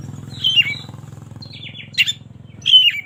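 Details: Oriental magpie-robin singing in the morning, played as a lure for magpie-robins that are lazy to sing: three short, separate whistled phrases that slide downward, over a steady low mechanical hum.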